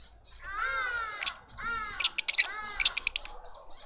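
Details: Lovebird family feeding a juvenile in a suburban garden in Pretoria, South Africa. Two drawn-out, nasal, slightly falling calls are followed by bursts of rapid, shrill, clicking chirps.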